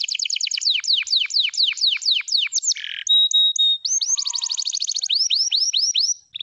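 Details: Canary of the F2YS line singing: a fast run of about fifteen high downward-sweeping whistled notes, a brief buzzy burst and short flat tones, then another rapid rolling trill of repeated sweeps ending in clipped whistles.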